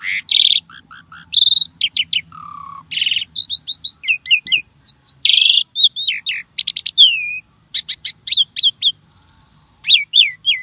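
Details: Starling, called jalak, singing to encourage caged birds: loud harsh bursts, low whistled notes, a steady mid-pitch whistle, then dense strings of quick slurred chirps.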